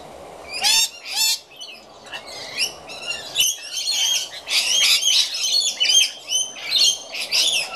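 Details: Rainbow lorikeets feeding messily, flicking their food about: dense bursts of harsh, screechy chattering and squawks, overlapping in rapid runs with brief pauses, growing busier and more continuous in the second half.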